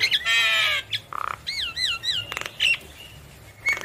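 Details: Singing Javan myna, head bobbing: a long harsh nasal blare, a short buzzy rattle, then three wavering whistled notes, followed by scratchy squawks and a high squeak.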